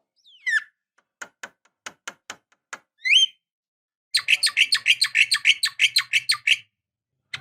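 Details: Javan myna lure recording said to be a female calling a male: a sharp whistled upslur, a run of thin clicking ticks, a squeaky rising note, then a fast burst of harsh rattling chatter.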